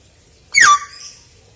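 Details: Pet common hill myna uttering a single loud, harsh squawk that sweeps downward and trails off into a short fading tone in a quiet room.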